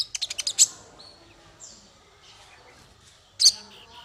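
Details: Opening run of six quick ascending-loud chips ends in a strong high note, followed by near silence and one more loud chip burst; masteran tutor song for small fighter birds.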